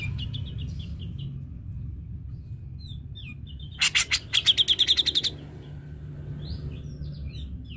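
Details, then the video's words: Grey-cheeked bulbul (cucak jenggot), a lure track for coaxing a silent bird into song: faint thin chirps over low background hum, then a loud run of about ten quick harsh notes midway, followed by soft whistled chirps. "Pancingan Cucak Jenggot Malas Bunyi"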